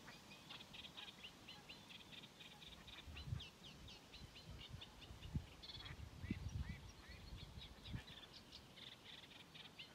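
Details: Sedge warbler song recorded 12 June 2023 at Mingen, Njurunda: a continuous run of harsh chattering, buzzy notes and rapid trills, with low rumbling background noise.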